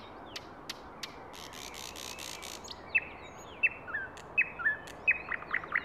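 A thrush nightingale sings: a few dry clicks, a harsh ratcheting rattle, then a run of loud, sharp whistled notes with more clicks, over a steady hiss.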